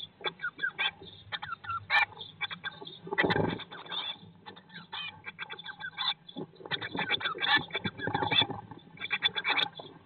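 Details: Nest-box brood of Eurasian blue tits, day 19 after hatching, May–June 2022 live stream. Busy repeated chirping throughout, broken by a scratching thud and occasional shuffling movements.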